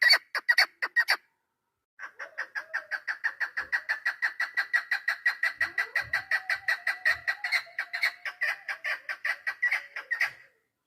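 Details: Hunting hen chukar partridge, 3 May 2025: a brief burst of hoarse chucks, a two-second pause, then a long even string of clucking notes; a thin, wavering whistle-like tone runs beneath, with a few soft low knocks.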